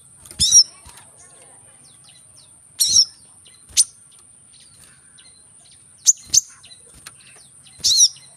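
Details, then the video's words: Brown-throated sunbird calling, recorded to encourage other birds to sing: sharp, high, slightly buzzy chips, some doubled, spaced two to three seconds apart, over a quiet background. "Kolibri kelapa | manggar | suara untuk burung malas bunyi | suara korlap gacor tembakan rapat"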